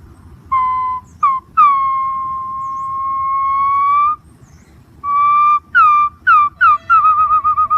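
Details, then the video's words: Green pigeon whistling: a short note, a very long level tone that rises a little at the end, then several clipped downslurred whistles and a rapid wavering trill to finish. Soft low background hum. "suab nquab ntsuab quaj zoo tiếng cu xanh keu"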